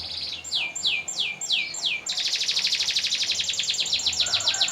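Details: Canary singing a master training song with long rolls: five slow downward-sweeping high whistles, then a dense, rapid, sustained rolling trill that runs unbroken to the end.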